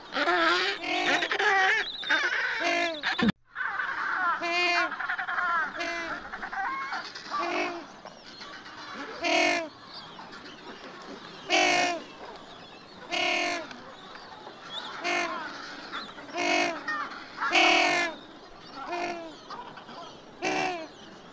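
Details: African penguins, an endangered species of Africa's southwest coast, give harsh, donkey-like braying calls in rich, buzzy bursts that repeat every second or two.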